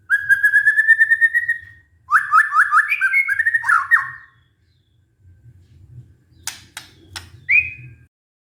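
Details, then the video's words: Shama lure song used to coax stressed white-rumped shamas back into song: a smooth rapid trill, then jerky descending slurred notes, followed by quiet clicks, a few sharp ticks and one short whistled upsweep. "pancingan murai batu macet bunyi karena stres"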